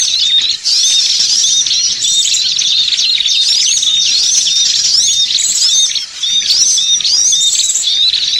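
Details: Many small birds chattering on a bird-luring track: unbroken high-pitched twittering and chirps, short rising whistles scattered through, with two brief dips in the chorus.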